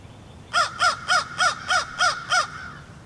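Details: Crow calling at dawn before sunrise, around 06:30 in March 2020, under the moon in Lutz, Florida, recorded with a shotgun mic: seven harsh, evenly spaced caws about a third of a second apart, over a low steady rumble.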